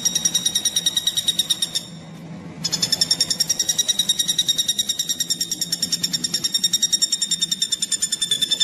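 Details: Common flameback woodpecker call for training magpie robins: a rapid string of shrill, ringing notes, about three per second, halting briefly for under a second before resuming steadily, with low background hum.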